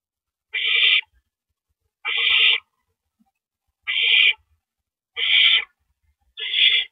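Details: Owls at the nest on the night of April 9, 2012, one passing a rabbit to the other after eating; five grating, breathy screeches with a lower rough undertone, repeated roughly every one and a half seconds.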